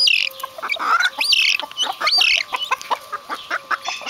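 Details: Vulturine guineafowl with harsh squawks and rising whistled notes early on, then settling into evenly spaced short clucks repeated about five times a second.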